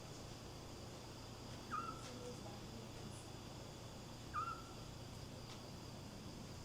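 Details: At Cala Llonga, Ibiza, one of a pair of Eurasian Scops Owls calling right by a villa, with another bird further down the road, gives two short, clear whistled 'tyu' notes about 2.5 seconds apart, over a low hum and faint insect buzz.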